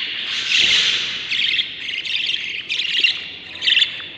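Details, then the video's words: Seven young Budgerigars calling inside the nest on breeding day 38; a long opening rasp followed by several shorter harsh squawks at irregular intervals of under a second. "7 Baby Budgies from eggs to hatching - budgie breeding/ what happens inside the nest no music day 38"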